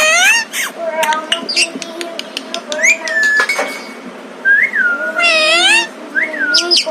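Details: Rescued pet ringneck parrot saying "maa": nasal, speech-like sounds mixed with sharp whistles and squeaky rising calls, one after another throughout.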